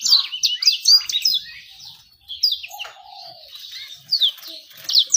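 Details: Lure song meant to get birds singing quickly and draw females: bursts of quick high chirps and slurred whistles, with a quieter stretch midway, then sharp rising notes again.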